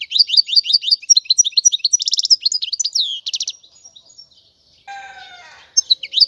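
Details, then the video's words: European goldfinch singing: a fast, high twittering run of chirps and notes for about three seconds, ending in a buzzy trill, then a pause and a brief lower harmonic squeal before the twitter resumes. "تغريد الحسون"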